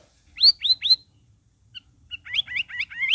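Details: Sooty-headed bulbul singing to coax silent cage birds into song: three bright, clear notes in quick succession, a pause with two soft chips, then a rapid bubbly run of five warbled notes.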